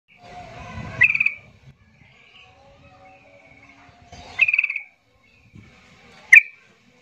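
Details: Yellow-vented bulbul agitated song used as a lure to make silent bulbuls sing: bright whistled phrases around mid-high pitch with sharp loud bursts near one, four and six seconds, quieter sustained tones between, some low rumble.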